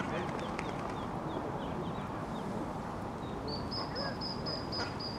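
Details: Ducklings following their mother at Iffley Lock on the River Thames, Oxford, give high, thin peeps in a quick series, then steadier repeated squeaks, over a loud, steady rush of water.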